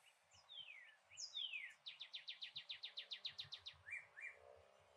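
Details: Yellow northern cardinal, a rare color form, heard from a Port Saint Lucie, Florida backyard on an iPhone: two sweeping downward whistles lead into a rapid run of about fourteen sharp repeated notes, ending with two slurred notes.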